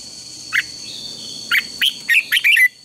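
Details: Red-whiskered bulbul singing as a decoy for contest training: a single chirp, a pause, then an accelerating string of clear whistled and warbled notes ending in a downward slur, over a steady high tone.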